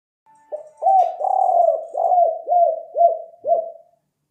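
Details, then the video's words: Spotted dove call for luring: a faint thin whistle, then rough rolling coos followed by a string of separate hollow, drooping coos slowing toward the end, with faint high hiss early on. "Suara Ajaib Balam Kuk 4"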